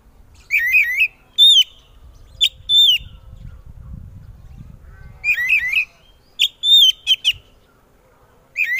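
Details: Oriental magpie-robin singing loudly so that other magpie-robins answer: rolling warbles and clear whistled notes in separated bursts, with a low rumble between phrases.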